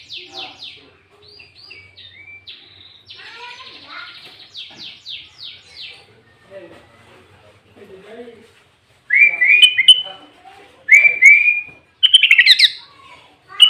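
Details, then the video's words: Sooty-headed bulbul, loud clear lure song blended with green leafbird phrases, used to call bulbuls and provoke rival birds: soft scattered twitters and downslurred chips at first, then three loud rich whistled phrases in quick bursts. "Pancingan Burung Kutilang Gacor Full isian Cucok ijo"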